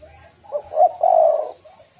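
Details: Spotted dove female giving a lure call meant to stimulate males: one low cooing phrase of a brief note, a rising stutter and a sustained rolling coo lasting about half a second, with a soft trailing note.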